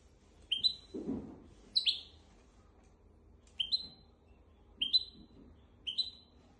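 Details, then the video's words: Singing goldfinch x canary hybrid kept as a model for teaching goldfinches and canaries: six clear, high, upslurred double chirps, one roughly every second, with a soft thump early on. "تغريد طائر الهجين ميسترو حفاضه لتعليم طيور الحسون والكناري بدون اخطاء"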